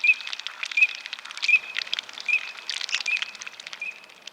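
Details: Eurasian teal, Europe's smallest freshwater duck, on a wooded estate with ponds at Château de Lorge, Côtes-d'Armor, Brittany, France, giving short, high whistled notes about every three-quarters of a second over steady crackling and rustling.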